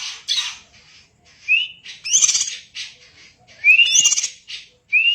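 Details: Greater green leafbird (cucak ijo) singing busily in kacer-like style for training: harsh rasping chatters interleaved with clear rising whistled slurs, repeated several times.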